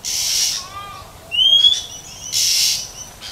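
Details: Wild female Oriental magpie-robin in nature calling to stimulate males: a single clear rising whistle around the middle, flanked by broad hissing bursts and faint thin whistles from other sounds.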